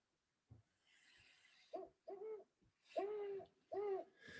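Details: A Great Horned Owl at night gives a series of deep, hollow hoots in a "who's awake, me too" rhythm, short ones first, then two longer, drawn-out notes, with faint background hiss.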